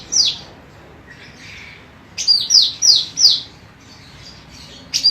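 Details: Female ruby-throated bulbul (cucak rante emas), a lively singer kept as a tutor for training other songbirds; clear high whistled notes sliding downward, a quick run of four in a row near the middle, with scattered softer chirps between.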